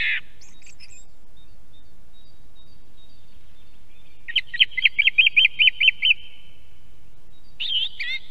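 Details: Song thrush in song in Estonia, recorded at an osprey nest camera. A brief note opens, then a long run of about nine identical sharp notes repeated rapidly, followed by a twisting fluty phrase. Quiet pauses separate the phrases.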